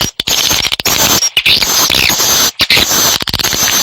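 Swiftlets chatter in a dense, hissing twitter of high, scratchy chirps, with a few clearer rising notes, broken by brief gaps over a constant noisy wash.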